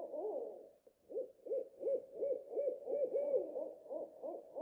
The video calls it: เสียงนกฮูก Owl Sound